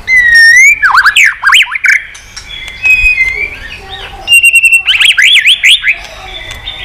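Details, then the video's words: White-rumped shama in many-voiced song, played to excite shamas and teach varied singing: a clear rising whistle, then quick zigzag up-and-down notes, a soft pause, sharp clicks and another burst of rapid slurred notes. "Kích Chòe lửa hót nhiều giọng"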